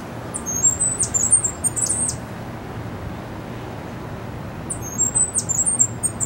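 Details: Cuban grassquit, described as a white-footed, well-sized, handsome bird, sings two bursts of very high, thin, buzzy notes, each about two seconds long with a few seconds of pause between, against a low background hum.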